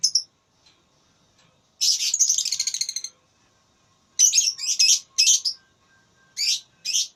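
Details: Lovebird singing in a contest, gacor ngekek style: a long, rapid, rattling trill of over a second, followed by clusters of rough chirps and short buzzy notes.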